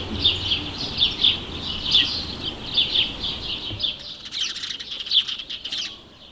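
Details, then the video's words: House sparrows chirping almost continuously, a busy stream of bright overlapping chips that grows thinner and more scattered toward the end. "House Sparrow | Σπουργίτης with Natural sound"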